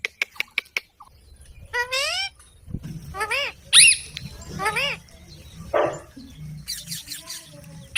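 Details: A talking parrot follows a series of sharp clicks with a falling harmonic phrase, several arched squawky syllables and high shrill squeaks.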